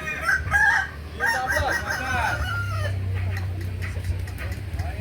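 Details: Practice crowing contest of Kukuak Balenggek roosters in Ampang Kualo, Kota Solok, May 2024: several overlapping crows with stepped, quavering phrases in the first three seconds, then a steady low hum with background voices.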